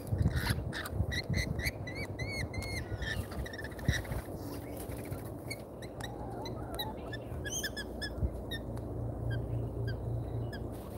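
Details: Australian lorikeets at a feeder, on a live camera: rapid chattering of short screechy harmonic notes comes in two busy bouts, with quieter pauses and constant low rumble in between.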